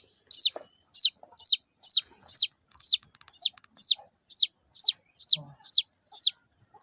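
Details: Small local chicken chicks chirping: a continuous series of shrill, falling peeps, each a brief high note sliding down, repeated roughly every half second, clear and loud against a quiet background with slight soft rustling.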